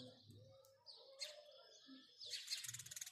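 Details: House sparrows chirp in short, bright bursts in the morning, ending in a quick run of repeated cheeps; faint low voices murmur in the background.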